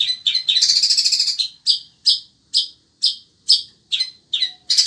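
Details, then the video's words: Caged long-tailed shrike of the sembur variety, kept as a pet and competition bird, still singing steadily in scorching heat: a dense chattering run of high notes, then loud clipped harsh calls at uneven intervals, ending in another burst. "Burung Cendet INI TETAP MELOCOR DOR"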